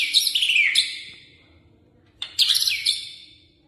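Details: Energetic white-rumped shama song: a bright, fast, descending warble fades out, then after a pause a sharp onset launches another burst of high, twittering whistles.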